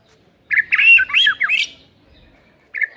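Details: White-rumped shama recorded as lure material to provoke a reluctant bird into singing: a rapid, tight burst of varied, bright whistled and slurred notes, some rising and falling, then a brief new phrase near the end.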